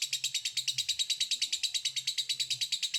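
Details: Lovebird "ngekek" chatter: a fast, steady, rattling series of harsh, high notes, about three a second, evenly spaced and unbroken across three seconds, with a faint low hum beneath.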